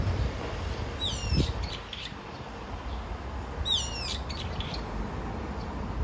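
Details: Brown-eared bulbul calling for its partner. Two loud, screechy calls, each a quick cascade of falling notes, arrive about two and a half seconds apart against low, steady background noise.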